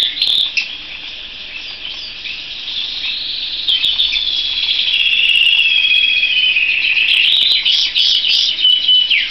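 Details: Canary giving a sustained, rolling warble that starts softer and swells louder midway, with a wavering continuous stream of high twittering notes and brief chirps at the end.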